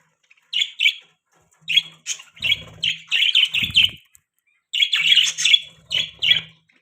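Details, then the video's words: Several short bursts of high, chattering warble from pet budgerigars, happy in the morning, separated by brief silences, with soft low rustles and a faint hum. "Happy Budgies Chirping Sounds Morning Time|Budgie Parrots Chirping Sound"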